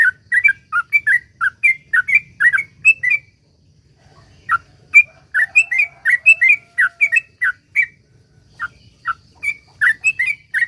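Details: Sooty-headed bulbul giving long 'ropel' lure song: a fast run of clear whistled couplets, a silent gap of about a second, then the series resumes with a faint lower drawn-out note behind it.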